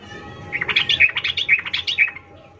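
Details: Lure call of a female sooty-headed bulbul calling a male: a brisk burst of sharp, ringing chirps lasting under two seconds against steady low background noise.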